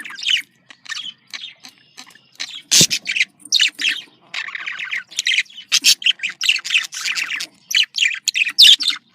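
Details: Budgerigar contact calls, presented as a happy bird: continuous warbling chatter of short scratchy chirps and squawks, with one loud broadband click near the start.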